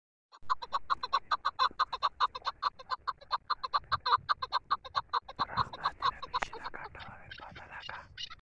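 A chukar partridge gives a fast, steady run of harsh clucking chuk notes, about five a second, growing rougher toward the end.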